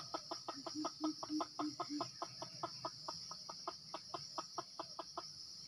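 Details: Red junglefowl drawn in by a decoy in Sumatra: a fast, irregular train of dry clucks, mixed early on with short low hoots, continuing for over five seconds above a persistent buzzing insect background.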